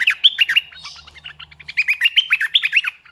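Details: Strong song of a red-eyed bulbul decoy bird: a fast, lively stream of bubbly whistled notes, each flicking up then down, pouring out almost nonstop.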